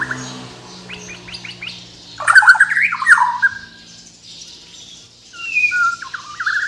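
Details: Captive Bornean white-rumped shama from Kalimantan singing: after quiet scratchy notes, a loud burst of tumbling whistles, then softer sliding whistled phrases, over a low steady background hum.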